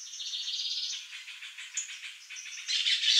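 A young male Lined Seedeater sings a fast, jumbled run of high, buzzy twitters and rattling trills, with one clear whistled note partway through. No other sounds intrude.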